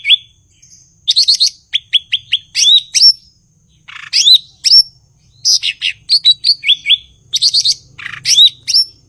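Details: Lively song of a blue-winged leafbird (cucak ijo), Indonesia: rapid rattling trills, repeated upward-sweeping whistles in series of four, and scratchy bursts, almost continuous over nine seconds.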